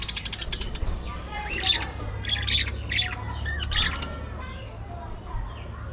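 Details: Budgerigars kept as a colony in an aviary, giving harsh, scratchy squawks in short bursts, several close together mid-clip, with rapid clicking chatter at the start over a steady low rumbling hum.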